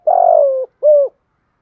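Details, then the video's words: Spotted dove cooing to provoke fighting, used for training decoy birds: a long, low, fluttering coo that slides gently downward, then a short rounded coo after a brief gap, in clean silence. "chim cu gay tho pha thúc đấu + gáy gọi"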